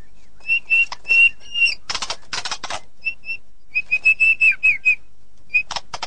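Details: White-rumped shama giving loud, clear whistled notes in short bursts, separated by rough, noisy rasping sounds and brief pauses.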